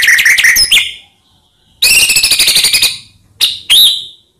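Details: White-rumped shama lure song for provoking other shamas: quick chattering notes, a pause, a loud rapid buzzy trill, then two sharp short calls.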